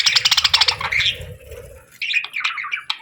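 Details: Parakeets chirping: a quick run of bright, high chirps repeated several times a second, a soft lull, then a scratchy, warbling chatter in the last second.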